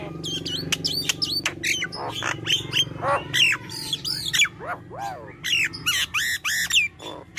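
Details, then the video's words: Nias hill myna in lively song, a busy flow of sharp clicks, squealing upslurred whistles and harsh nasal notes in quick uneven bursts. "Jalak nias gacor"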